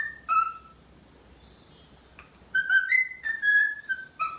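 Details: A talkative pet male cockatiel, reacting to his reflection in a bathroom mirror, sings clear, fluty whistles in short phrases, with level or gently falling notes and a brief pause before a quicker run of tones.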